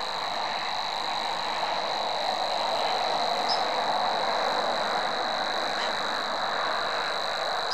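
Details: A Savi's warbler sings an uninterrupted, cricket-like buzzing trill at constant pitch for the whole stretch, over steady broad background noise.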